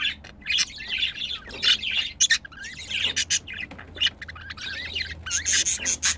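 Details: Mating pet budgerigars: chattering warble of quick chirps and upward-sliding whistles, punctuated by many sharp clicks and scratchy bursts throughout.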